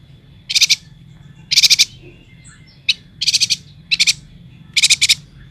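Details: Vocal yuhina from Kalimantan giving short, rapid rattling bursts of high pulsed notes, six bursts in quick succession with a single sharp chip between them, over a thin constant background whine.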